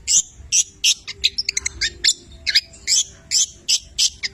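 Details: Long-tailed shrike, 'petir' type, from Cililin, in full song with borrowed labet and canary phrases; loud, harsh, high chips repeated roughly twice a second, broken by a short run of thin whistled notes.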